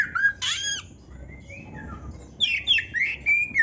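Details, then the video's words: Oriental magpie-robin song with canary-style notes: a slurred whistle and a loud squeaky burst, a soft gliding whistle, then quick rising chips and clear whistled notes. "SUARA BURUNG KACER GACOR CANARY - MASTERAN KACER GACOR FULL ISIAN KENARI"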